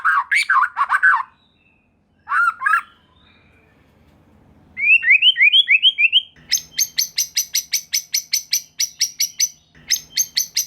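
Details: White-rumped shama singing, used as a lure to excite other shamas and spur young speckled birds to respond. Rich low warbling phrases, a pause, then a rising run of quick whistled notes, then fast, sharp, rattling notes repeated in bursts.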